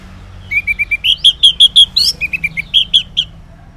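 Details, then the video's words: Ngeplong song of an orange-headed thrush recorded in the morning as a lure for silent males: a long run of sweet, rapidly repeated whistled notes, rising slightly in pitch, then dropping lower and rising again. "Cocok Buat Pancingan ANIS MERAH Ngeplong di Waktu Pagi Hari Yang Macet yang Bisu Kalo Jantan Nyaut"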